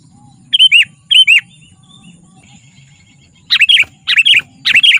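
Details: Sooty-headed bulbul, used to call wild bulbuls and as a tutor for captive birds, giving two paired bubbly notes, a pause, then three quicker rolling phrases in close succession.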